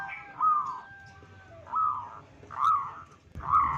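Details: Local zebra dove, calling to stir up other zebra doves: four smooth mid-pitched cooing phrases spaced about a second apart over a low background hum.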